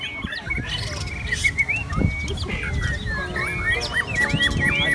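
Red-whiskered bulbuls sing quick, bubbly whistled phrases that rise and fall, several birds overlapping, over a low background rumble.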